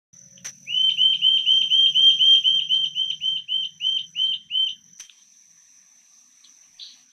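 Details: A rufous-tailed jacamar (Galbula ruficauda) in Guatemala calls a quick series of about sixteen sharp, high, upslurred notes that gradually slow, over a steady thin insect-like whine.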